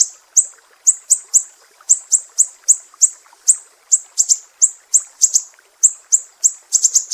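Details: Sumatran mangrove whistler giving 'besetan pedih' sharp phrases, a master recording for songbird tutoring: a fast string of high, cutting notes, some paired or tripled, with short gaps between groups.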